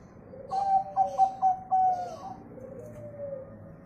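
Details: Zebra dove of local stock singing as a lure to prompt other birds to sing: four quick staccato notes, then a sustained slightly falling coo, followed by a faint lower coo in the background.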